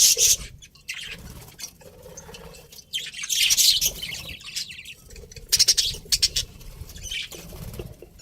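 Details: Chirping from a pet budgerigar breeding pair: dense, scratchy high chatter and quick tweets, strongest near the start, around three to four seconds, and again in sharp clicks and chirps after five seconds.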